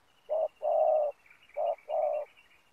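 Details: Spotted dove kept as a decoy to draw wild doves toward a ground snare: two clear coo phrases, each a short note followed by a longer, steady, mellow coo, with faint chirping behind.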